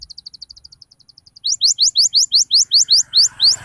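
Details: Canary lure song to draw responses from young canaries learning ngriwik and cuit cuit: soft fast ticking trill, then loud evenly spaced rising chirps about three per second, with faint low rumble behind.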